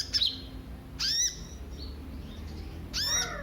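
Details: Kolibri ninja sunbird, recorded as a lure for other birds: three separate sharp, high downslurred notes, spaced about a second apart, over a low background hum.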